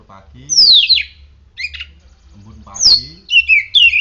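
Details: Oriental magpie-robin singing after morning sunning and dew exposure: two sharp descending whistles about two seconds apart, each followed by warbled fluttering notes, with some faint low background sounds.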